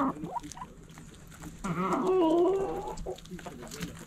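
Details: Backyard hen giving a drawn-out harmonic cluck lasting over a second, preceded by short soft clucks, other faint clucks around it and a low hum.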